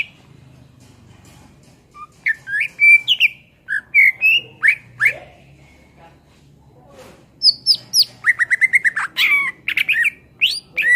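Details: Greater green leafbird (cucak ijo) singing vigorously, used as tutor song for songbirds: varied whistled phrases and slurred notes, a pause, then a fast run of sharp chirps and rising whistles, with a faint low hum beneath.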